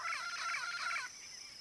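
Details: Yellow-faced parrot of the Brazilian Cerrado giving one harsh, chattering, rasping squawk burst about a second long, with a steady high insect whine behind it.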